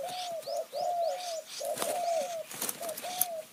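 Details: Decoy spotted dove calling wild doves in high hill forest of Kanchanaburi, Thailand, in the khu-ang and nun-ang calling styles. Steady chain of soft, slightly falling coos, with thin high chirps of other birds above.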